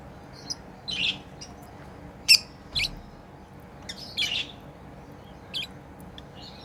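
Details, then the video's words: Tame lovebirds at play give scattered high chirps and brief squawky notes, with a sharp click-like chirp and long quiet gaps between calls, over faint constant hum. "Lovebirds playing & Chirping sounds"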